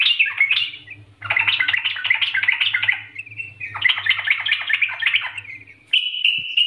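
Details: Trucukan bulbul singing in an energetic, ringing style: dense, rapid bubbling warbles in long bursts separated by brief pauses, ending in a steadier note, over a faint low hum.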